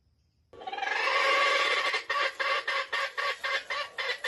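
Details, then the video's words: Trapped wild junglefowl in bright light, giving a stuttering crow: a long strained rising note followed by choppy bursts, about four per second, that sound like a broken, hiccupping finish. "The trap of wild chickens in the bright light crows with a stuttering voice"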